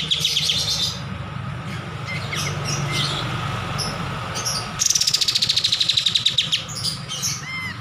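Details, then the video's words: Kapas tembak bulbul singing for use as a master recording. Chirps and short notes, then a rapid trill of quick pulses lasting about two seconds, ending with looping squeaky whistles, over a loud background hum. "MASTERAN KAPAS TEMBAK GACOR"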